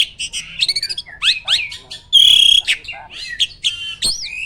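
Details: Prize-winning caged starling pours out a rapid, loud 'tembakan' song. Dense sweeping whistles rise and fall, with a ringing sustained shrill note midway and scratchy chatter between phrases.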